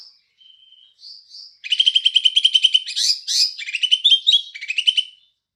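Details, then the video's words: Green leafbird copying house sparrow: thin high whistles open, then varied chattering phrases of quick, buzzy chirps with louder harsh accents and changing rhythm. "Cucak Ijo Isian Burung Gereja"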